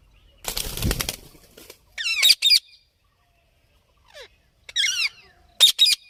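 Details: Parrot squawking in harsh paired bursts after a noisy rustling thump at the start, with a faint squeak in between.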